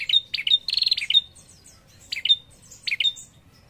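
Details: A chatty female prinia calling to draw out a male's calls gives bright, sharp chipping notes in a fast burst, then short paired chips about every second, with faint higher twitters behind.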